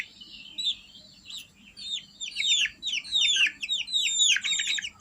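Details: Domestic chicks calling as bait to lure civets: a faint thin whistle at first, then clusters of high, falling peeps growing louder and more frequent, over quiet background.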